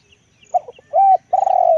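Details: Brief cooing from a big-voiced decoy spotted dove: stuttered introductory notes, a steady coo, then a long coo that is cut off at the end.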